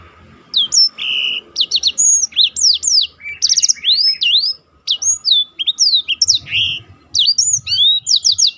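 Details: Black-throated canary singing a rolling 'roll' style song, used as tutor audio for contest birds: rapid run of sharp whistled upslurs and downslurs with short buzzy trills, almost continuous for eight seconds, faint low hum behind.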